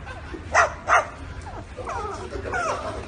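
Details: Parrot mimicking dog barking: two sharp, loud bark-like bursts close together, then softer wavering, whiny notes over a low constant hum.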